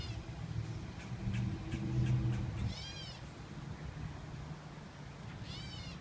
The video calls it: Cat bird / "Erin bird" call